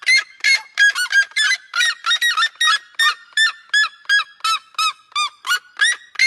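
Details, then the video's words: Red-legged seriema giving loud, ringing yelps, nearly three per second, in a steady run of harsh, honking notes that rise and fall slightly. "O maravilhoso som das seriema"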